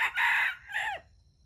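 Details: Wild red junglefowl at a trap baited with standard bait, with the birds competing to crow. A loud, harsh two-part crow: a strong, broad first burst, then a shorter phrase that falls away and ends abruptly. Only faint low rumble behind.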